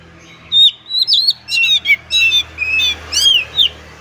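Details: Kacer (Oriental magpie-robin) singing hard during its ngobra display, showing its mimicked repertoire (isian): loud whistled sweeps and chattery bursts over a steady low background hum.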